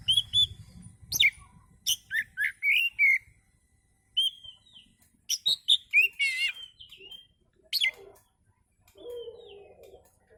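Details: Oriental magpie-robin in relaxed song, played as a lure for other birds: varied loud whistles, slurred phrases and fast trilled notes delivered in bursts, with brief pauses between phrases.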